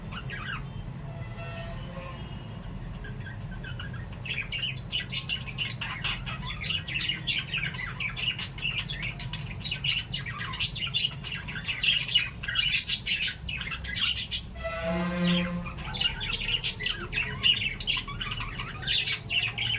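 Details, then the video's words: Several lovebirds at play, quiet at first, then dense overlapping high chirps and squeaks build into a busy chatter; a low droning hum runs underneath throughout. "love birds chirping and playing"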